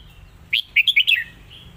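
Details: Lak Wai style master song of a Red-whiskered bulbul: a bright phrase of about five rapid whistled notes, the last one slurring downward, with quiet pauses before and after.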